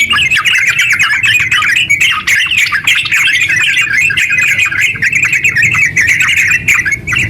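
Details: Captive yellow-vented bulbul in full, vigorous 'ngeropel' song, a long unbroken rapid chatter used as a lure to make other bulbuls sing; dense warbled and chattering notes run continuously for seven seconds with no pauses.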